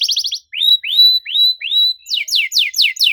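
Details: Canary song used as a lure to get silent canaries singing, in a rapid 'cuit cuit' style: a quick high buzzy trill, then several clear upslurred whistles, then a run of steep descending sweeps.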